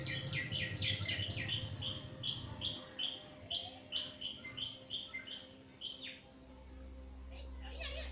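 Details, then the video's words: Bathing backyard birds in Pilicode village, Kerala state, India, phone recording: busy rapid high chirps and short trills, several notes a second, fading to sparse chirps against a low rumble. "Backyard birds bathing - ambient nature video with real birds sound"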